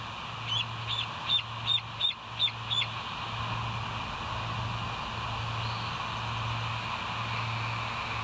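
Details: West End bald eagles on a nest cam, 07/04/2023 at 06:17; a softer, more distant run of about seven high piping notes, then only steady background hum.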